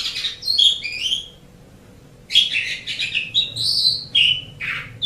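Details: Asian pied starling, for training caged songbirds: bursts of fluty whistles and scratchy chatter, a one-second silence, then a dense varied run of whistled and buzzy notes.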